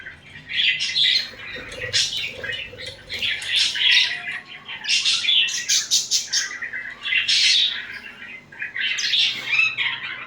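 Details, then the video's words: Pet budgerigars cuddling and squabbling, giving dense bursts of bright, buzzy chirps and squawks, overlapping and nearly continuous for ten seconds, with brief pauses between clusters. "#Budgie cuddling #Budgie fighting, #Budgie chripping"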